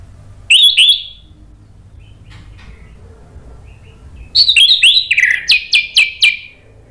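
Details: Orange-headed thrush, a kept songbird, played as a lure to prompt a silent bird to sing: a brief high rising whistled phrase, a pause, then a run of loud varied whistles and sharp notes falling in pitch.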